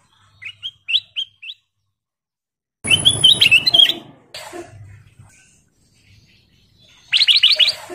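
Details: Golden kutilang (sooty-headed bulbul) prompting song meant to set other birds singing: four short bright whistled notes, a burst of loud noisy chatter with a high whine, then a fast rattling series of sharp notes.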